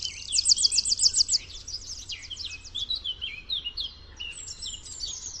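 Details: Wild Eurasian wren song opening with a bright, fast trill of repeated high notes, followed by quicker descending twitters and thin sliding whistles, low background rumble beneath.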